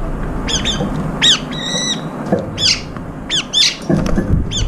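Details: Brown-eared bulbuls competing for food together; quick, harsh, downslurred squeals repeat about every half second, broken by one short flat shrill screech, with knocking sounds in between.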